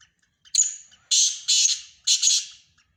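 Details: Black francolin, one of a mix of Sindhi francolin voices: a short whistled lead-in, then three loud, harsh, grating squawks about half a second apart.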